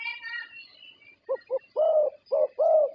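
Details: Prize-winning zebra dove from Thailand, whose voice is what contest judges score. After a brief twitter from another bird, two short clipped notes lead into three longer, fuller low coos.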